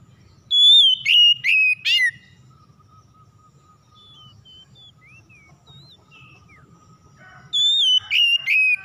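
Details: Oriental magpie-robin song used to provoke other magpie-robins: bursts of four ringing whistled notes falling in pitch open and close the passage, separated by a long, quieter spell of thin high chirps.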